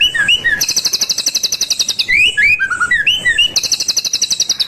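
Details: Wild white-rumped shama singing energetically: varied slurred whistles and rising-falling notes interleaved with very high, rapid buzzy rattling trills repeated several times, loud and continuous.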